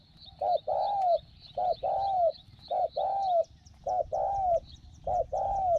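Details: Small-voiced decoy spotted dove luring wild doves toward a trap cage, giving a short clipped coo then a long mellow falling coo, repeated six times in steady rhythm over a low rumbling background with faint high repeated ticking.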